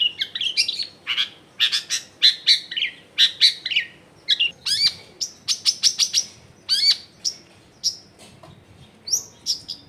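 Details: Long-tailed shrike in full, busy song with abundant varied phrases, recorded at a home in a crowded neighbourhood. Fast, high, sharp chirps in rapid runs, with some sustained whistled notes later on.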